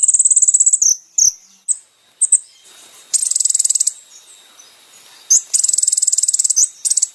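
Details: Kolibri ninja song used as a masteran recording for training caged birds: very high, dense rapid trills alternating with short sharp chirps and brief pauses.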